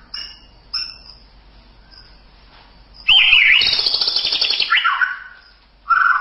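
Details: White-rumped shama: two short bright whistled notes and a faint soft whistle, then a loud, harsh, buzzy chattering burst lasting about two seconds, ending in a strong low whistle.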